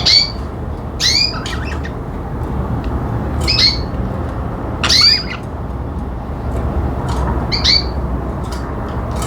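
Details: Pet budgerigars calling with sharp, high chirps and squawks, several quick bursts close together, over a low steady room hum.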